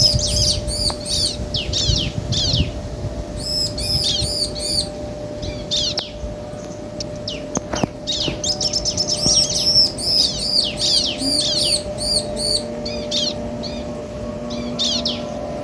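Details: Bar-winged prinia male and female answering each other at length: clustered runs of high, bright arched notes alternate with quieter gaps and scattered chips, with a steady hum and occasional clicks.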